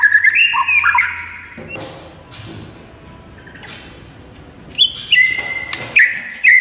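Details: White-rumped shama masteran song recorded in the morning: whistled phrases open and close the passage, with a long quiet stretch between them.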